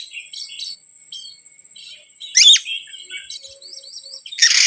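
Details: Lure song of an Oriental magpie-robin, meant to agitate other birds: quiet whistled phrases and short trills, a loud harsh burst in the middle, rising repeated whistles, then a final rasping outburst.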